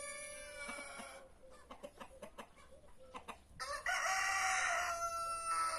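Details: Free-range roosters of Brahma, Marans, Naked Neck and White Star breeds in a back yard: a crow at the start, soft clucks in between, then a louder harsh crow from about 3.7 seconds.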